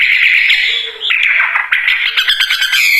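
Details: Wambie bird singing vigorously: a dense, scratchy jumble of chirps, squawky notes and short whistles run together without pause, growing choppier toward the end.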